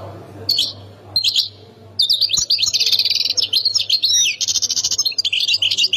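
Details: European goldfinch from the Khemis Miliana area of Ain Defla province: two short high notes, then an unbroken rush of twittering, swooping slurs and fast rattling trills lasting four seconds.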